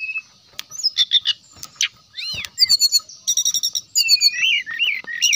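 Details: Brown-chested jungle flycatcher in lively song, used to lure rival birds into singing. Mix of rich whistled slurs, rising-falling notes and fast rattling chirp bursts, almost unbroken.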